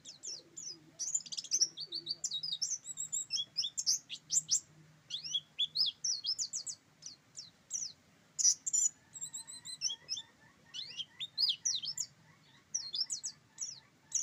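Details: High, tinkling rolling song of a buxtoni oriental white-eye: bursts of fast chirps and squeaky slurs run on for long stretches, briefly interrupted, then resume with repeated twittering phrases.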